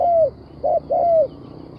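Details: Spotted dove coos: a long smooth note falling in pitch, a brief pause, a short coo, then another long falling coo, all clear over a quiet background.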